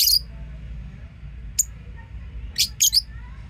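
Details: Lovebirds giving short, shrill, high-pitched chirps: a burst at the start, a single chip midway, then three quick scratchy notes near the end over a faint low hum.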